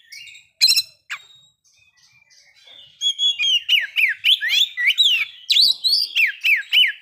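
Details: Oriental magpie-robin lure song for provoking breeding condition and aggression. A harsh note and a soft pause, then steady repeated downslurred whistles, over three per second, with trills mixed in.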